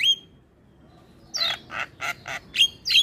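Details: Morning Javan myna song used to tutor young birds: a sharp whistle, a pause, then a rapid string of harsh grating squawks mixed with bright whistled notes, with no other sounds.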